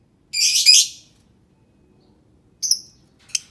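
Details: Lovebird sound used to stir quiet lovebirds to sing: one harsh, buzzy, high chattering burst about a second long, a pause, then two short squeaky chirps.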